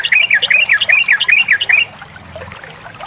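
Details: Female sooty-headed bulbul calling to a male, used to coax males into singing rapidly: a loud, quick string of about ten bouncy, rising-and-falling whistled notes, then a low hum and faint background chatter.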